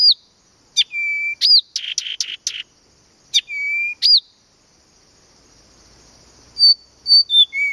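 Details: Blyth's reed warbler singing at Planta, Podlaskie Voivodeship, Poland: loud, clear phrases of hooked upslurred whistles and flat sustained whistles, a burst of rapid dry notes, a similar motif repeated after a short pause, then brief sharp notes. Quiet background.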